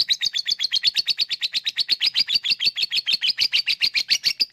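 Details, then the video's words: Lovebird 'ngekek' song as a lure for lazy birds: rhythmic rapid chattering of high rasping notes, about five per second, pitch rising and falling slightly, loud and unbroken. "Ngetik lanjut ngekek@Pancingan untuk Lovebird yang malas bunyi"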